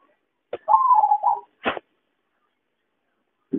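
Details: Zebra dove (perkutut) call used as a trapping lure: one soft, rolling coo near one kilohertz that rises briefly and then trails down, set between short sharp clicks and a low thump at the end.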